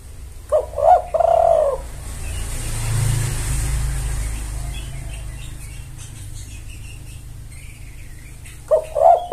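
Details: Spotted dove used as a lure to call males: a burst of hoarse, gurgling coos near the start and again at the end, with quiet between and a steady low engine-like rumble underneath.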